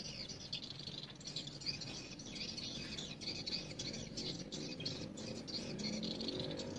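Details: Swiftlets at a swiftlet house during the day; continuous high, rattling twitters from many birds, repeated in quick bursts over a low background hum.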